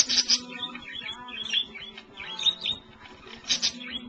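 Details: Four pet budgerigars (parakeets) singing in a fast, chattering stream of high twittering notes and scratchy bursts, with a faint steady indoor hum; a pet guinea pig may also be heard.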